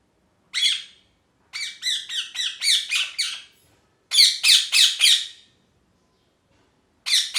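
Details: Happy-sounding pet parrot giving bursts of rapid, harsh chirps, several notes per burst at about three a second, with quiet pauses between the bursts.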